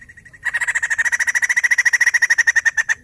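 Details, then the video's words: After a brief quiet start, a white-crested laughingthrush launches into one long, steady rattle of about thirty rapid, evenly spaced pulses. The recording is meant to stimulate other laughingthrushes to sing. "Burung poksay Jambul gacor"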